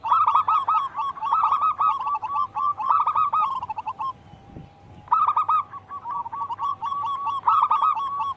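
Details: Local wild zebra doves singing vigorously, used as a lure to stir caged birds into song: rapid bursts of soft cooing notes run in chattering series, several overlapping, with a short quiet gap midway.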